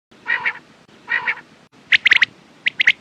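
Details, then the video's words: Quail calling: two hoarse, harmonic-rich notes followed by a quick burst of sharp, high clipped notes in twos and threes. "Quails sound best sounds use morning and night time mast awaz saaf awaz"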